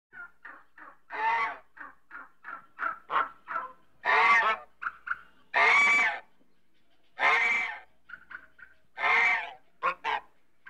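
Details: African goose (domestic swan goose breed) gives a run of short nasal honks, then louder, drawn-out harsh honks roughly every two seconds.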